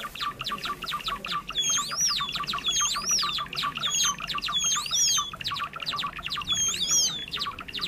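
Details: Java sparrows on a trapping lure: steady streams of short chips, with four high whistled arcs rising and falling at roughly one-second intervals midway through.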